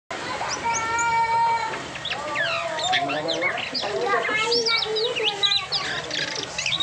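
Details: Asian pied starling after moulting singing a varied phrase: long steady whistled tones with harmonics, then rapid squeaky slurred notes and sweeping chatter, with a steady low hum throughout.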